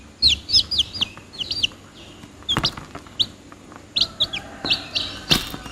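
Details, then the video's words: Several chicks give clustered high downward-slurred peeps in quick bursts, with pauses between groups, plus a few sharp clicks or knocks in the background. "The sound of the chicks is funny, closer - Âm thanh của những chú gà con ngh vui nhộn, gần gũi..."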